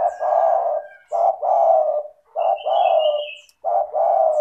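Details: Spotted dove call played to prompt lazy caged doves to start calling: low hoarse coos in a two-part pattern, a short note then a long drawn coo, repeated about every 1.3 seconds, with faint higher chirps from other birds.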